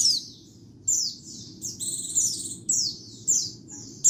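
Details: White-eye singing for luring birds, background noise removed: high twittering phrases of quick downward-slurred whistles and a buzzy sustained trill, repeated every half second or so, with a soft low hum.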